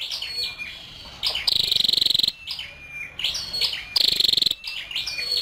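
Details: Female scarlet-backed flowerpecker giving two fast, high ticking trills, each about half a second long, separated by thin high chirps and short slurred whistles.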